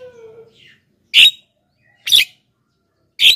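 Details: Black-winged myna singing vigorously, used to attract wild birds and to prompt caged birds to join in. A faint low tone opens, followed by three loud rasping squawks about a second apart.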